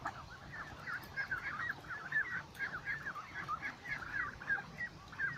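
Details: Flock of ducks beside a lake giving a dense, continuous chatter of short overlapping calls, each note quickly bending up and down, with a steady low hum running underneath throughout.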